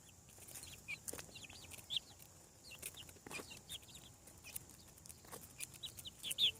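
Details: Chicks breaking out of eggs on a farm peep in bright, high, down-slurred notes, loosely spaced and sometimes doubled, with loud knocks and tapping between calls.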